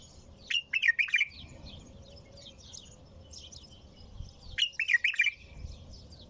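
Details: Bulbul song: two brisk, bubbly warbled phrases about four seconds apart, each under a second long, with faint higher twittering and a low steady hum between them.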